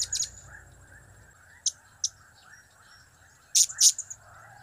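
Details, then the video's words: Blue-crowned hanging parrot call used as a lure: short, very high, scattered chips, with single notes spaced apart and a closing double burst, over low background noise. "Trio Cap²/Kiak²/Crap² Semakin Gacor Super Ampuh Gaaiiss"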